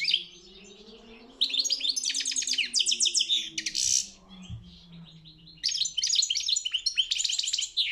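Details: European goldfinch in a world championship singing contest, pouring out rapid metallic twitters and buzzy trills in two long bursts separated by a quieter gap, with faint low tonal sounds in the background.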